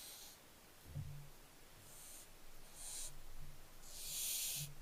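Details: Barn owlets, 15 July 2024, produce a series of short, breathy hisses roughly once a second. They build to a long, loud rushing hiss at the end, with small low knocks between.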